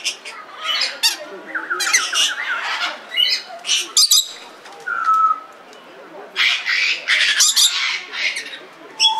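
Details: Red lory calling at Belgrade Zoo, Serbia, in 2022: a jumble of harsh squawks and rasping shrieks in clusters, with a brief whistled note and faint voices behind.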